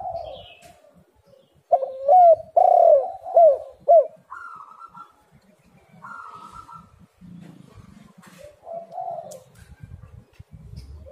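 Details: Spotted dove calling on a lure recording meant to prompt other doves to call: soft coos at first, then a burst of five loud, clipped, bouncing coo notes, followed by quieter drawn-out notes and low rustling.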